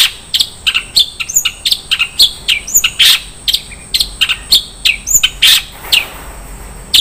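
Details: Song of a long-tailed shrike packed with 'isian mewah' filler phrases: varied quick chirps, sharp clicks and high upslurred whistles tumbling together with barely a gap.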